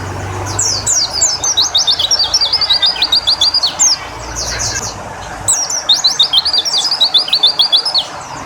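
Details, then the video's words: White-eye given water therapy to bring it into full song: rapid high chirping phrases of quick descending notes, two long bursts, with a low rumble of passing traffic early on. "Terapi Air Untuk Burung Pleci biar Cepet Nembak"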